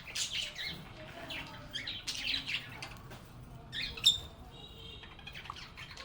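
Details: Pet budgerigars, described as happy, singing, chirping and chatting together in a calm setting. Bursts of bright, high chirps and warbles overlap in quick, irregular runs, with short pauses between flurries.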